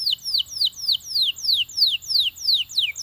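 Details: Belgian canary song aimed at stirring other canaries to sing: clear descending whistled slides repeated about three times a second in a smooth, even series.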